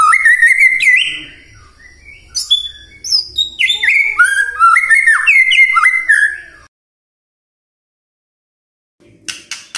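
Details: White-rumped shama singing, offered as a morning trigger for silent birds: dense run of varied sweet whistles and falling slurred notes, then a pause and a short harsh burst at the end.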